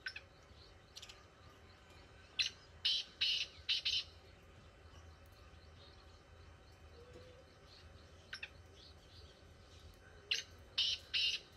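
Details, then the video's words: Black francolin calling repeatedly in village fields: two bursts of five or six scratchy, grating notes several seconds apart, against a steady low rural hum. "Kala teetar ki awaz"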